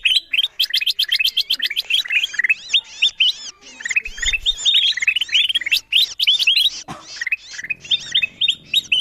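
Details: Kutilang emas bulbul lure sound for pulling wild birds down: dense, continuous chattering of quick rising whistles and chirps, many overlapping notes for nine seconds, a short thud partway through.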